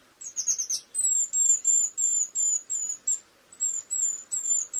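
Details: Eurasian blue tit delivering a brief high jumble, then a clear series of piercing, slightly falling whistled notes repeated evenly about three times a second with a short pause midway.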